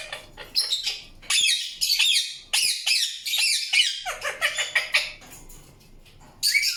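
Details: Harsh chirps and squawks from an Indian ringneck parakeet, delivered in clustered bursts with sharp clicks, then a softer stretch and one final loud squawk.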